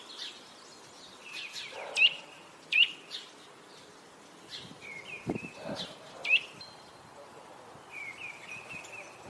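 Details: At its nest in Parque das Pedras Salgadas, Vila Real, on 2 April, a Eurasian nuthatch gives loud, sharp, high upslurred notes spaced a few seconds apart, with softer chirps, short flat trills and a low thump between them.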